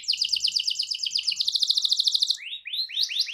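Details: Canary in full, continuous song, a long rolling style meant to provoke other canaries into singing: fast, even trills of repeated high notes rising in pitch, then slower, separate downward-sweeping whistles near the end.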